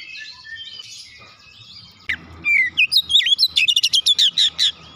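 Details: Oriental magpie-robin song used as a lure, starting after soft background noise: a rapid run of loud, clear whistled notes, some rising, some dropping, and some sharp clipped chirps, repeated several times a second.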